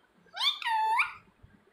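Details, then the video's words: Pet parrot talking indoors; a single short, speech-like two-part phrase that rises, flattens, then lifts again at the end. "मिट्ठू मिट्ठू बोलने वाला तोता.. Talking parrot"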